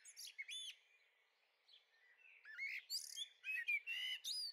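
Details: Fledgling Common Blackbirds in a Dutch garden on the Veluwe, spring 2014, giving high, squeaky, buzzy notes in quick irregular bursts, some rising and falling whistled slurs among rapid chirps.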